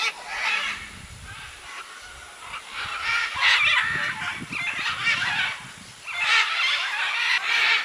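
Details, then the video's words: Crowd of macaws at a clay lick in the jungle of Manu, Peru, 2008; dense, overlapping coarse squawks and screeches, loudest in clusters at the middle and end, with faint low thumps beneath. "Macaw clay lick"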